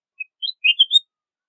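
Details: Red-whiskered bulbul singing a short phrase: one thin introductory chirp, then a quick run of four bright warbled notes rising and falling, over within a second against a silent background.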